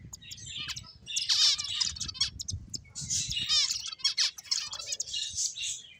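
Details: Bright, high-pitched finch chirps in clusters, rapid twittering trills repeating every second or so, fairly clean with only a faint low hum behind them.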